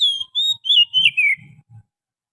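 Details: Wild forest Oriental magpie-robin song used as a bird-catching lure: a run of clear whistled phrases, some held steady, others sliding down, about five notes in two seconds, with faint low rumbling underneath.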